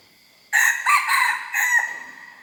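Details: Practice crow from a young hybrid red junglefowl: an abrupt, rough, buzzy crow in four linked parts over about one and a half seconds, ending with a falling tail, faint steady background tones.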